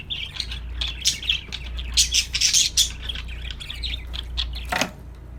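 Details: Singing budgies give a rolling warble of squeaky notes and rasps that swells in the middle, ending with one sharp loud click, over a low hum.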